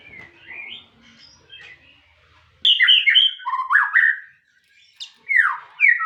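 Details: Soft warbling opens, then a white-rumped shama bursts into loud, fluty song with swooping slurs and sharp high notes in several quick phrases.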